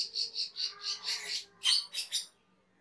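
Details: Cucak keling in a master recording for training caged birds: about six evenly repeated high chirped notes, followed by a brief pause and three louder, buzzier notes.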